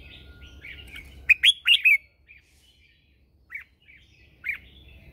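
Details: Red-whiskered bulbul lure bird singing at dawn to draw other bulbuls: a burst of three or four loud warbled notes, then softer isolated chirps, over a low rumbling background.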